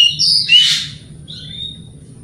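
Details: White-rumped shama provoking song: a brief whistled note then a loud harsh burst, fading to a soft whistle.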